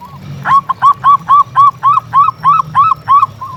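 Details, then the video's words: Local zebra dove in vigorous song: a clear, regular string of about eleven arched, mellow coo notes, each rising then falling, spaced roughly every quarter second, loud against a quiet background. "Suara Perkutut Gacor"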